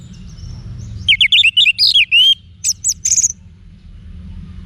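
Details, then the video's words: Orange-headed thrush singing, played to spur caged birds: a rapid run of sharp, chirpy whistled notes tumbling downward, then several short high piercing notes in a quick series, with faint low hum beneath. "ANIS MERAH Manapun Bakal Nyaut Berani Untuk Figther Saat Didengarkan Kicauan Wiksar Ini"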